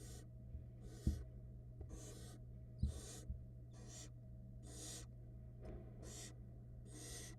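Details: Young barn owls being fed by their mother on a Florida camera utter a quick series of about ten breathy, hissing rasps, interspersed with soft thumps and scuffles in the nest box.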